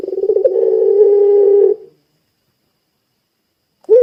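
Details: Puter pelung dove giving a rolling, throaty coo that smooths into a long, steady, deep note before stopping abruptly. A new coo begins after a silent pause.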